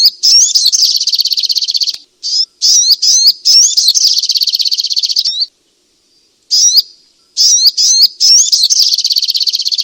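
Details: Striated grassbird (sogok ontong) song played to stir sluggish caged birds into singing: loud slurred whistles that rise and fall, each run dissolving into a fast buzzy trill. Phrases come in bursts separated by brief pauses and a longer gap of silence.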